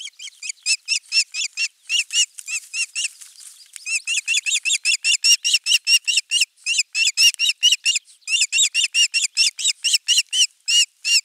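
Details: Osprey calling at a Finnish nest, 23 June 2020, on the morning a half-kilo crucian carp arrived. A long, nearly unbroken run of sharp, piping whistled notes, several per second and uneven in spacing, with only brief pauses.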